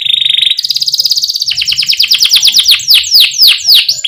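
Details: Canary song played to get young canaries singing: a steady low roll, a higher rapid trill, then slower loud descending swept notes.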